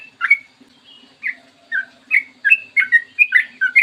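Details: Morning sooty-headed bulbul song, played as a lure to make bulbuls call. Separate chirpy, slurred whistles start sparsely and then come faster, the notes bouncing between lower and higher pitches.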